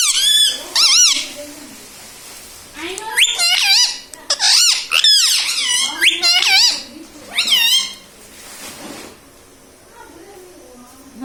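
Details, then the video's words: Talking pet parrot saying mummy and papa indoors, with a long string of squeaky, wavering, speech-like syllables packed into quick bursts, then a quieter ending with soft room noise. "Mummy pappa talking parrot🦜🦜 || mithu hu mithu || मम्मी पापा बोलने वाला तोता"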